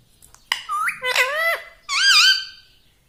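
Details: Pet parrot talking indoors: three nasal, word-like syllables with wavering pitch, the last rising and falling, clipped and squeaky like mimicked speech.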